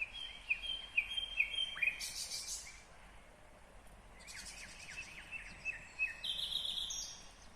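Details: A nightingale sings in Kyrgyzstan in 2020, giving a string of short piping notes and a rough buzzing burst. After a pause, a series of quick slurred notes runs into a high buzzy phrase.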